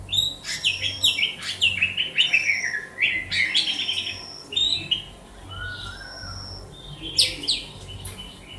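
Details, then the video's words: White-rumped shama in Banda Aceh giving a rich, rapid song of warbled, twisting high whistles and sharp chirps, then a softer low whistle and a final bright flourish; steady low background hum. "Murai batu sugeng"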